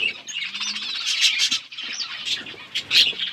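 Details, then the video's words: Budgerigars, eating, chatter in a steady stream of high, scratchy chirps and warbles, several birds overlapping with brief louder squeaks throughout. "Budgies beautiful colors and chirping sounds"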